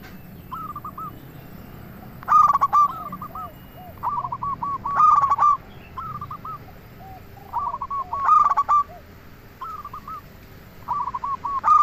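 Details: Zebra dove of local stock used as a lure to make other doves reply: soft clipped coo notes in runs, broken every few seconds by loud, rough bursts of rapid notes, against a faint background hum.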